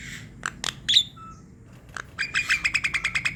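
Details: Javan myna singing vigorously, used to coax reluctant mynas into song: a few scratchy clicks and a thin short whistle, a pause, then a rapid buzzy series of eight or so bright notes.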